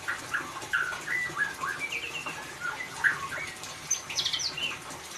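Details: White-rumped shama in ngeriwik song, used to coax a quiet shama into singing: a dense stream of varied chirps, short slurred whistles and rapid twitters, with high thin notes near the end, over light hiss.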